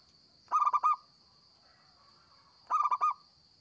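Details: Local zebra dove in lively song for use as a trapping lure: two crisp phrases of four or five rapid, rolling coo notes about two seconds apart, a thin steady electronic whine throughout.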